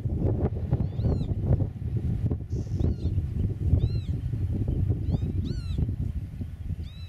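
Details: Eurasian oystercatcher on its nest in meadow farmland, recorded by a camera set 8 metres away. Loud, shrill piping calls come singly and in quick pairs, repeated through the clip against steady low wind noise.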